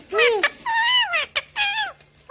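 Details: Indian parrot, a rose-ringed parakeet, talking: three voice-like, harmonic phrases with rising-then-falling pitch, each about half a second long, separated by short clicks, sounding like mimicked human words.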